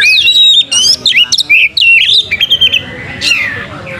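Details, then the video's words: Oriental magpie-robin singing strongly with open tail as a lure: quick whistles, sliding notes and chattery phrases for about three seconds, then a single rising squeal and quieter background. "pancing Kacer gacor buka ekor"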